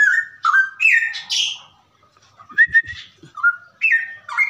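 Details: Straw-headed bulbul (Pycnonotus zeylanicus) song: loud, liquid, rich, bubbling whistled phrases in quick bursts with brief pauses, and a few soft low knocks underneath.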